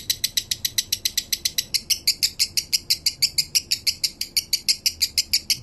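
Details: Male lovebird singing in the slow "minor" style, recorded to train other birds. A steady series of harsh, high, buzzy chirps repeats about three times a second with no pause.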